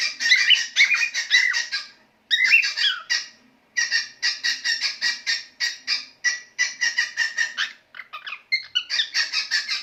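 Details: A male pet cockatiel (Nymphicus hollandicus) sings in quick bursts of harsh, chattering notes mixed with brief whistled phrases.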